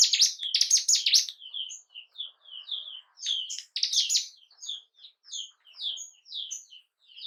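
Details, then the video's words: Ciblek gunung, the bar-winged prinia, singing to excite caged birds into breeding and aggression: an opening rapid high chatter followed by a string of short thin chirps and small buzzy bursts. "Pancingan burung ciblek gunung pancing birahi dan emosi burung anda"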